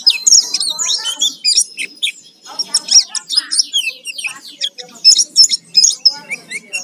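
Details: Lure song of the Oriental white-eye, pleci gacor full isian, used to provoke singing: busy high warbling twitters with scattered lower chattering notes and a brief held thin tone.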